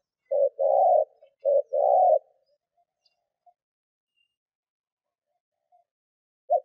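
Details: Decoy spotted dove cooing to draw wild doves: two low phrases of short and long hollow notes early on, then near silence and a single brief coo at the end.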